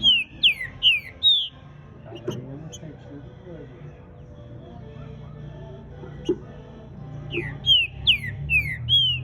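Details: Green-winged saltator warming up its song: short clear whistled notes, each sliding down, in two bursts at the start and end, with a quiet low hum and faint noises between.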